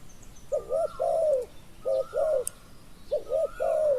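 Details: Spotted dove used in decoy luring of a wild bird: three evenly spaced coo phrases, a stuttered double note then a sustained falling croo, each with a faint rising whistle above, quiet surroundings.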